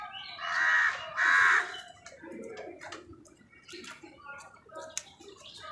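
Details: Crows calling while fighting with other birds over food: two loud, harsh, drawn-out caws in the first two seconds, then quieter scattered calls and clatter.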